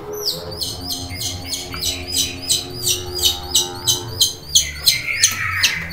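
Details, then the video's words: Long-tailed shrike kept at home as a house guard, calling at once when someone arrives: loud, harsh, down-slurred notes repeated about three times a second in a steady series, with a low hum underneath. "BURUNG CENDET GACOR JADI SATPAM RUMAH, ADA ORANG DATANG LANGSUNG BUNYI"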